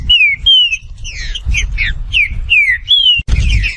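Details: Loud, clear whistled phrases of a green-winged saltator, long notes slurring downward, alternating with rougher buzzy notes, over a steady low hum.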